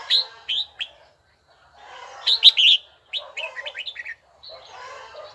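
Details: Red-whiskered bulbul practising song; three quick whistled notes, a pause, then a loud warbled burst followed by a rapid string of chirps, with light background hiss.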